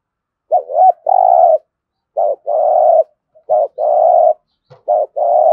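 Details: Captive-bird prompting call of a spotted dove in THỔ voice: repeated phrases of a short bent note followed by a long steady buzzy coo, four in quick succession, clean background.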